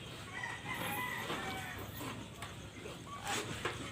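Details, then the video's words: Free-range Sasso chickens on a farm in the Philippine countryside give busy overlapping clucks and squawks in a steady chatter, with a crow-like call near the end over a noisy farmyard background. "SASSO CHICKEN"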